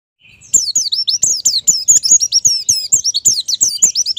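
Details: Captive white-eye singing, used as therapy so caged birds start singing quickly and fluently: dense, high twittering of rapid down-slurred and looping notes, about nine or ten per second, with faint clicks beneath.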